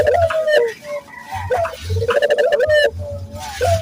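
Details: Barbary dove cooing, a recording used as a lure to train local doves to coo readily: rolling, throaty coos with a short rising start and a drawn-out level note, repeated several times over low thumping background noise.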